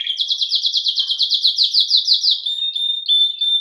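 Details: Canário-belga singing a fast series of bright, rapidly repeated notes in an even rolling rhythm, then settling into a thin, pure sustained whistle.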